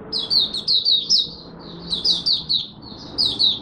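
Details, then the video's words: High, jumbled chirping of a Malaysian Mata Puteh (oriental white-eye) during its first morning warm-up, short twittering phrases coming in uneven bursts, with low background noise. "Malaysian Mata Puteh Buka Sing Poseidon 1st warm up for the day"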